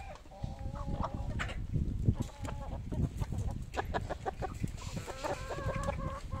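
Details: Chickens at feeding time, a busy flock. Short clucks and longer wavering nasal calls repeat irregularly, with a burst of overlapping calls near the end over constant low-pitched yard noise.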